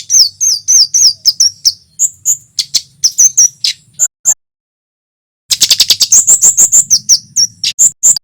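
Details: Male olive-backed tailorbird from Java singing loudly, played to lure wild small birds: fast strings of high sharp notes and short slurred whistles, a pause of about a second, then a dense burst of rapid chirps.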